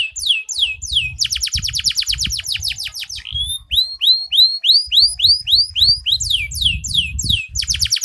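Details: Canary tutored on Java sparrow song pours out fast repeated trills of descending high whistles, then shifts to a series of upward-arching chirps repeated several times a second, with low background rumble.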